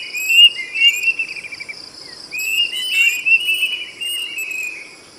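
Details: Plaintive cuckoo giving loud, ringing whistled song: a run of clear notes around the same pitch, some sliding down, over a steady high insect drone.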